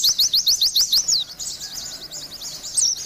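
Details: Energetic Oriental white-eye song, kept to coax stressed birds into singing: a fast series of sharp, high, slurred chirps, then softer scratchy twittering and a final bright rising note.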